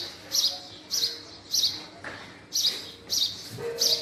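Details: Male house sparrow (Passer domesticus) gives bright, chirpy calls, about seven in four seconds, each a quick burst with a harsh edge.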